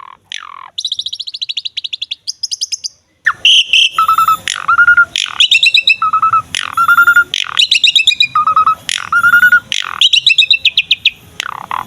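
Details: Asian pied starling singing energetically, recorded as a lure for starlings: opens with high rapid trills, then alternating harsh squawks, pure low whistles and fast chattering note series in a steady loop.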